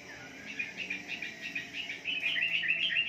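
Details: Soft, rapid wambi twittering, notes repeated several times a second and brightening toward the end, from a morning lure recording for caged birds.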